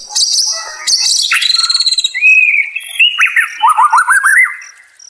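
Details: White-rumped shama singing as therapy for a stressed bird: harsh high buzzy notes open, followed by a long descending rattle, a clear rising whistle, and a run of quick looping notes.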